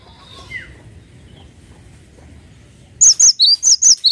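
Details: Brief burst of cinereous tit song at the end: sharp high whistles alternating with lower slurred notes in a quick see-saw rhythm, following a stretch of faint background noise.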